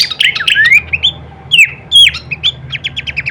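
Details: Songbird training masteran of Horsfield's babbler, full kleperan variation: buzzy slurred whistles and chirps, a few loud downslurred notes, ending in a quick series of short repeated chips, with low steady hum behind.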